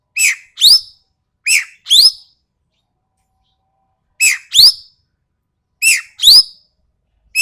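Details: Ekek keling of Sumatra, a sharp, rough voice, calling in paired notes: a short, lower harsh note immediately followed by a loud, rising, rasping one, the pair repeated four times with pauses.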